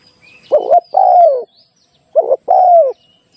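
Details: Live-decoy recording of a spotted dove used in trapping: two phrases, each a brief trilled note quickly followed by a long smooth coo sliding downward, with soft high bird chirps in the background.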